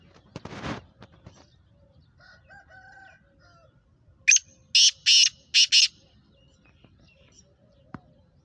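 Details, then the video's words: Black francolin, called kala teetar, Sheedi cross with nasal chakri calling: faint rustles and soft tones, then a loud run of five harsh, rasping notes delivered quickly, the middle ones longest. "Black Franclion Voice Speeder Kala Teetar Gangas Sheedi cross Nasal Chakri Wala Teetar"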